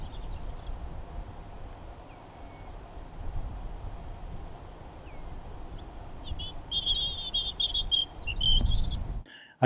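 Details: European robin at Elmley Nature Reserve, Kent, on 3 October, giving thin, high notes, then a brief sweet warbling phrase over low wind rumble; many robins active around the spot.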